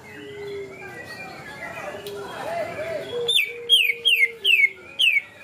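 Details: Greater green leafbird singing canary-style song material. Faint soft warbles and a low steady tone open, then five loud, sharp, downward-slurred whistles come in quick succession, about two per second.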